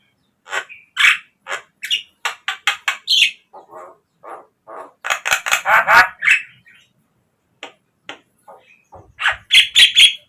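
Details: Javan myna singing as a lure for captive birds, with a string of clipped, evenly spaced chattering notes, a quieter run of low rasps, then a burst of harsh squawks and whistles.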